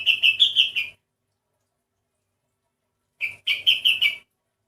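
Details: Unusual-sounding sooty-headed bulbul, its voice said to differ from ordinary ones: two bursts of about five quick, bright, slightly warbling notes each, separated by a two-second pause.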